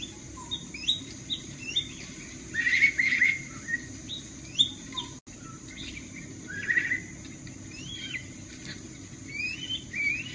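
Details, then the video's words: Black-throated magpie-robin (kacer) lure recording meant to make a kacer answer: varied short whistled notes and slurred phrases, some rising, others falling, with brighter warbled bursts near three and seven seconds over a steady faint hum. "PANCINGAN KACER LANGSUNG NYAUT DENGAR SUARA BURUNG BEBUYUTAN INI"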